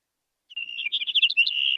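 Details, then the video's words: Brewer's Sparrow song from sagebrush country, a sound many people mistake for a cricket: after a brief silence, a high, rapid run of varied buzzy trills and chips that shift up and down in pitch, ending in a steady trill. Background is clean. "so that was the brewer sparrow that many of you might actually mistake for a cricket."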